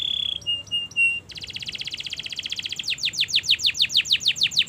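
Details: Canary long song for teaching young birds: steady whistled notes, a fast buzzy trill, then a roll of repeated downslurred whistles.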